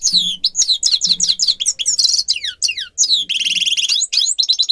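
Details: Grey-crowned goldfinch singer, a recording meant for tutoring other birds: fast tumbling twitter of sweeping high notes mixed with buzzy trills and dense nasal rattles, with a faint low hum underneath.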